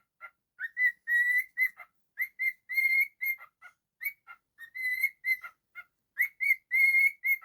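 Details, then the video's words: Pet cockatiel whistling a melodic tune indoors: a lively run of clear whistled notes, some held and steady, others short and chirpy, with brief pauses between phrases; no other sounds. "A super talented cockatiel"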